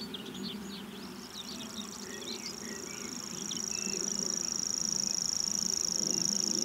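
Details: Common grasshopper warbler beginning its reel after about a second, then a high, even trill runs unbroken to the end, among chirps and whistles from other birds.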